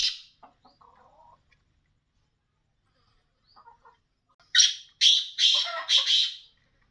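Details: A captive male black francolin (kala teetar) gives a loud, harsh, grating phrase of four rasping notes in quick succession, after a few faint scratchy sounds.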